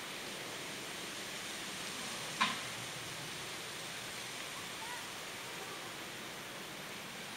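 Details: Constant hissing rush like falling water or rain, broken once by a brief sharp knock, with no animal voice heard.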